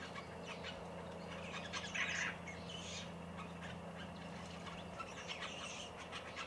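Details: A group of five White-browed Babblers gives scratchy, chattering calls in quick, uneven bursts while bathing and drinking at a country garden bird bath in Victoria, Australia, on 1 November 2021, over a steady low mechanical hum.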